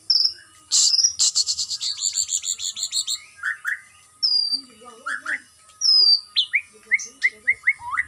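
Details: Farm-kept white-rumped shama in stamina-building aviary exercise opens with a fast rattling series of sharp notes, then gives high clear whistles and repeated upslurred chips at a steady pace.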